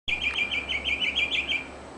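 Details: Bird singing outside a window, a bird that usually sings at 3 a.m. but is heard here around noon; fast run of bright, warbled, repeated phrases, about eight quick notes in two seconds, steady and high.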